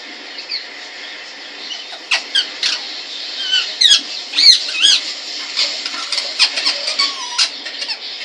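A rose-ringed parakeet gives a busy run of high, sharp squawks and short chattering squeaks, with a few lower whistled notes near the end, over a steady hiss.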